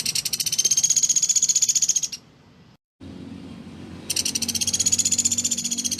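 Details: Velvet-fronted nuthatch used as a tutor recording for songbirds, noted for its clear, tight, machine-gun-like voice: two long bursts of extremely fast, high-pitched pulsed trilling, each about two seconds, with a short quiet pause between.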